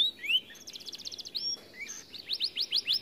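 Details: Canary described as too fat and reluctant to sing, here giving a rising slur, a quick rattling trill, a sustained high whistle, then a rhythmic series of sharp rising sweeps.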